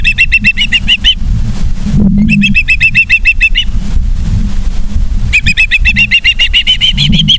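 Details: Osprey at a nest in Charlo, Montana, filmed by a live nest camera on 09/03/2023 at 18:54: three bursts of fast, repeated whistled chirps, the last rising slightly, over steady low rumbling noise.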